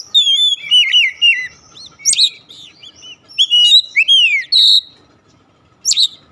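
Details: Kacer, or Oriental magpie-robin, in lure song aimed at a silent bird: varied bursts of ringing whistles, buzzy trills and sharp slurred notes, broken by short pauses.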